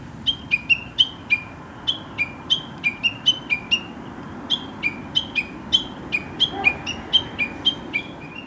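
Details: Wild Chinese hwamei from the countryside, whose morning song sounds like talking, giving crisp high notes, each slurred downward, in a fast rhythmic series that switches between higher and lower pitches.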